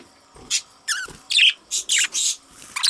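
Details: Young budgerigar chick calling steadily: a run of scratchy, buzzy, high squeaks, some sliding downward, repeated roughly every third of a second with brief quiet gaps and faint handling bumps.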